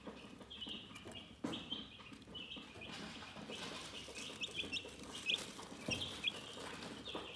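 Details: Chickens chirping calmly: many high, thin peeps overlap into a steady shrill chorus, with scattered sharp taps and rustling clicks underneath.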